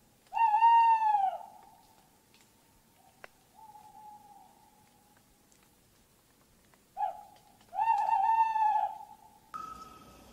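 Tawny owl giving long, slightly wavering hoots at a steady low pitch: a loud one, a softer one, then a brief note and another long hoot.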